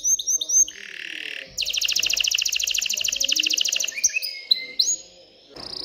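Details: Excited canary singing to stimulate females to mate and build a nest: high, clear downslurred whistles, a buzzy passage, then a fast rattling trill for over two seconds and a few sharp whistled notes to close.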